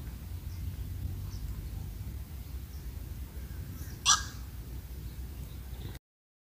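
A single short, harsh squawk from a black-crowned night heron stands out against a steady low rumble of wind or distant traffic.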